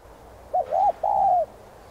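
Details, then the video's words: One spotted dove phrase in the hạp bổi singing voice, used to get kept doves cooing: a brief note, an arched middle note, then a long level coo that sinks gently at the end. "Chim Cu Gáy Thúc, Gù 2 Kích Bổi Nhanh Nổi.Tiếng Cu Gáy Giọng Hạp BổI.Cu Đất Gáy, Cu cườm"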